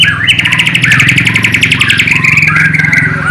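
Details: Bornean white-rumped shama, East Kalimantan, delivering song stuffed with sikatan londo flycatcher and nightingale imitations, filmed on a low-resolution camera. Dense, rapid, buzzy trilling with fast repeated chattering notes throughout, over a constant low hum.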